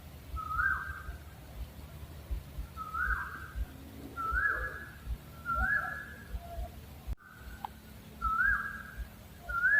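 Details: Owl calling: short whistled hoots with a quick upward slur, repeated about every one and a half seconds over low background rumble, with a brief break in sound midway.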